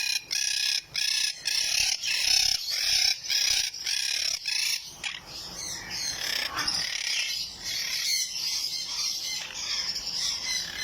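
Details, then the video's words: A pair of blue monk parakeets give harsh, grating squawks in quick bursts, about two a second, then settle into steady scratchy chatter. "Blue monk parakeet pair"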